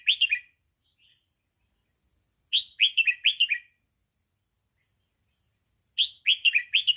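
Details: Song of a red-whiskered bulbul, played for teaching young birds: quick phrases of four to five clear, downslurred whistles, delivered in three bursts separated by roughly two-second silences.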